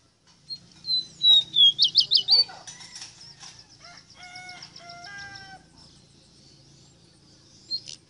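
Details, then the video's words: Rosita bird song: a burst of rapid, looping whistled notes, followed by softer chattering and short harmonic calls, then near silence with one brief chirp at the end. "EXTRAORDINARIO CANTO DE ESTA AVE ROSITA"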